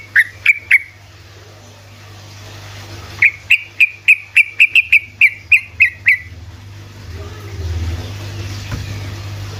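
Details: Sooty-headed bulbul song in rapid ropelan fashion, intended to make lazy bulbuls respond: three crisp, clear notes, a gap, then about a dozen evenly spaced sharp whistled chirps, fading into quiet with a low background hum.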